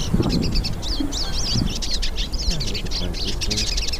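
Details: Several hooded siskins singing in nature: a dense, continuous high twittering of quick chirps and slurred notes, with low rumbling and murmuring sounds underneath.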